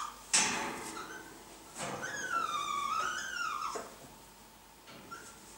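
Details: Blue-and-yellow macaw while mating, indoors: a single long arched whining call that sinks then rises again, framed by sharp clicks or knocks before and after, with faint short notes.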